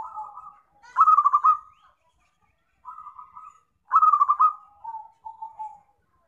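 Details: Zebra dove recorded as a trapping lure: bright pulsed coos broken into short rolling phrases, a stuttering burst followed by softer, lower trailing notes, repeated twice, with a quiet gap between phrases and no other sounds.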